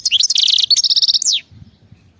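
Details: European goldfinch singing in wild khalawi style: bright, high twittering notes give way to a buzzy, rapidly pulsed trill that ends in a sharp falling sweep, then quiet.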